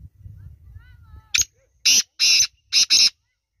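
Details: Black francolin, known locally as kala teetar, calling: a short sharp click followed by four harsh, grating bursts, two pairs in quick succession, over a faint low rumble at the start.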